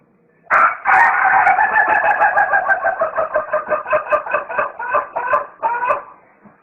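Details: Rooster crowing in a comical, laughing style: a loud rough start followed by a long train of rapid, chuckling pulses lasting over five seconds, slowly fading at the end.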